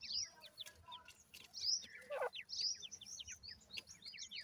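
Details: Male and female Grey francolin chicks raised for breeding call with very high, thin, downslurred peeps in rapid succession, plus one lower, louder note midway.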